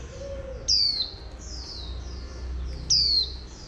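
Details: Oriental white-eye, a female prompting a wild-caught male to sing in the 'líu' style. Two bright, sharply falling whistles about two seconds apart, with soft chirps between them and a brief low coo at the start.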